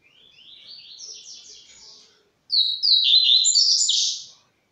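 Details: Starting to sing, a white-shinned bird gives a soft, distant-sounding buzzy trill rising slowly, then after a short pause a loud, high phrase of rapid descending notes lasting about two seconds.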